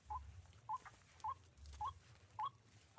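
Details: Trapping of a white-breasted waterhen using a hanging snare: clipped upslurred notes repeated about twice a second, evenly spaced, with low rumble beneath.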